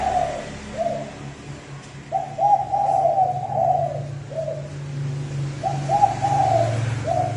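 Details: Decoy spotted dove giving a fast lure call to provoke wild doves: short coo, longer linked double coo and a clipped end note, repeated in two full phrases with faint low hum.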